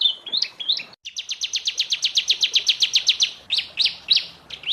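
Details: A young canary in moult sings tutor song for training contest birds, with warbled notes, a brief pause, then a sharp rapid trill of about twenty notes and a few spaced slurred whistles.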